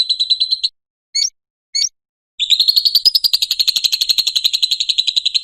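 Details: Lovebird ngekek for training and luring lovebirds: a short trilled burst, two brief sharp chips, then a long, fast, high chattering trill pulsing rapidly to the end, with no other sounds.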